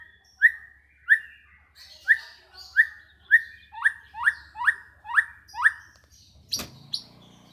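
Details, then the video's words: A white-rumped shama fluently imitating bearded bulbul song repeats a clear downslurred whistle about ten times, roughly twice a second, then gives a sharp click and two higher notes over a faint low hum. "isian Cucak Jenggot Fasih banget"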